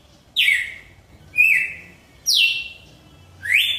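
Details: Red-cowled cardinal (Paroaria dominicana), song.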